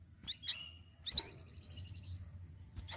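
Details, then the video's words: Flamboyan master-song recording meant for tutoring other songbirds: scattered short high chips and a thin drawn-out whistle, a loud upslurred sweep near the middle, then a final sharp click, with constant low hum. "KICAU APIK UNIK DARI BURUNG MASTERAN FLAMBOYAN"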